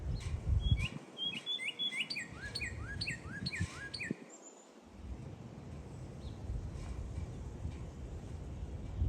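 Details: Red bird calling in cold wind: a quick burst of sharp, slurred chirps during the first few seconds, then mostly wind rumble with faint scattered notes.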